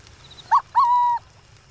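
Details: A Burrowing Owl, an owl of open grasslands recorded in the wild, gives a soft two-note coo: a brief low note, then a longer held one, gentle and dove-like.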